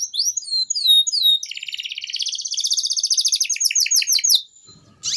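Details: Canary in long 'gacor panjang' song, used to tutor young birds: sharp downward-sweeping whistled notes, then a fast buzzy pulsed trill, a run of descending chips and a brief pause before a final burst.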